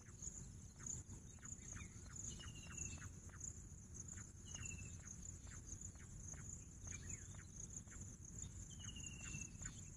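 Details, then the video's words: Pahadi Bater, the bush quail, utters high, slightly buzzy descending whistles, four notes spread across the clip. Cricket drone and frequent soft ticking fill the background. "Bush Quail sound Pahadi Bater"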